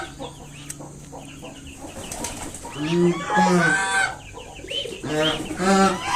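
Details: A mother swan defending her five freshly hatched cygnets from someone coming closer. Quiet rustling at first, then loud, nasal honks in two bursts, several harsh notes close together, rising in loudness toward the end.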